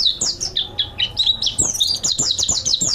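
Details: Training master song of a mountain white-eye, described as chatty and richly varied: a rapid string of sharp, high descending chirps that quicken into a tight twittering burst near the end.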